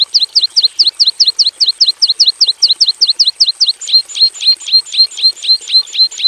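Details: Caged Javan bush lark (branjangan jawa) in a simple aviary, delivering rapid high downslurred chirps that shift midway to slower, fuller notes with a rising-then-falling shape, repeated about twice a second.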